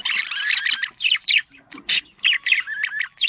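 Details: Budgerigar mating sounds meant to stimulate breeding: scratchy, buzzy chirps in short bursts about twice a second, with one sharp loud squawk in the middle.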